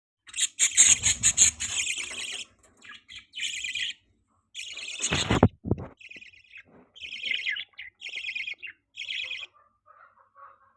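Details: Budgerigar chirping: bursts of bright, raspy chirps in quick runs, with gaps between them, plus a loud broadband thump or rustle around the middle.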